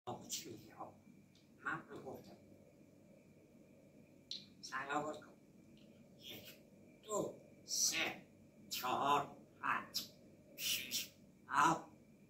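An African grey parrot talks in short, breathy, speech-like bursts of a few syllables, about every second or two, over a faint steady hum.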